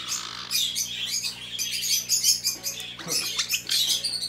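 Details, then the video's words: A closely bonded pair of black-headed caiques at a bird shop keeps up harsh, high chattering squawks and shrill chirps, overlapping almost without pause, over a faint low hum. "caique 仲の良い ズグロシロハラインコ ペア"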